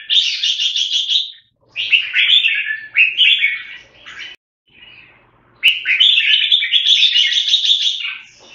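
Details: Red-whiskered bulbul singing bright warbled phrases that rise and fall, each burst lasting one to two seconds with short pauses between them. A faint low hum sits underneath, and a longer run of phrases closes the passage.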